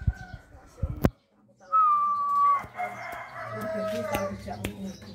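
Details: Pet zebra dove, about one year old and tame, hand-fed since young, cooing a deep heavy song; a loud steady whistled note near the middle, preceded by clicks and followed by softer overlapping tones and room noise.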